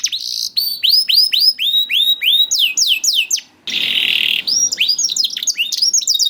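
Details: Young canary song for prompting canaries that sing little: repeated rising-then-falling whistled sweeps, a short pause, a harsh buzzy section, then quick chattering notes.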